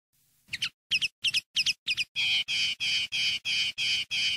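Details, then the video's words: Common linnet in field-style song used to tutor young linnets: a few sharp double-peaked chirps, then a run of loud, even, buzzy notes repeated about three times a second. "NUEVO CD CAMPERO PARA EDUCAR PARDILLOS"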